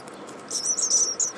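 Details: At least four hungry baby birds in a nest in an attic vent beg with very high, thin squeaking that starts halfway through and rises into a shrill, wavering chorus lasting about a second.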